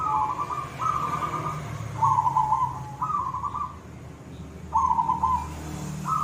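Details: Zebra dove of the silver perkutut type in full koong song, giving short bubbly rolling coos one after another, some ending in a slightly lower held note, against a constant low background hum.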